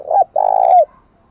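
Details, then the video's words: A decoy spotted dove used for luring wild doves gives a brief opening note, a short pause, then a long, rough, rolling coo that falls away at the end, clear against a silent background. "Tiếng Chim Cu Gáy Mồi Kích Bổi Kích Bổi Nhanh Gáy Chuẩn Nhất"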